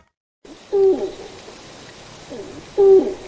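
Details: {'caption': 'Malayan night heron calling with two deep, muffled hoots about two seconds apart, each short and level with a soft fading tail, after a moment of silence, over steady low hiss.'}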